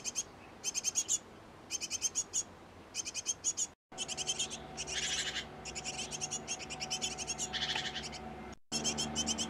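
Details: At a nest box occupied by a great tit pair feeding young, groups of rapid thin chirps repeat, later merging into longer buzzy trains with a louder harsh burst near the end.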